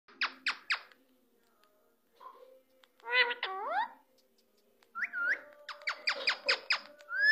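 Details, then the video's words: Green parrot talking and repeating the words 'Mia Mithu' in a sweet voice: bursts of harmonic, speech-like syllables and squawky notes, some rising and falling, separated by short quiet gaps. "GREEN PARROT 🦜 TALK MIA MITHU WORD SWEET VOICE"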